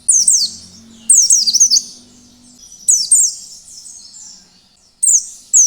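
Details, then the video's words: Oriental white-eye giving a wild-style (ngalas) song used as a lure to make other white-eyes sing. Very high, thin, rapid descending whistled notes come in bursts about every two seconds, with a faint low hum underneath. "BURUNG PLECI NGALAS BIKIN PLECI LAIN IKUT BUKA PARUH|| PANCINGAN PLECI GACOR"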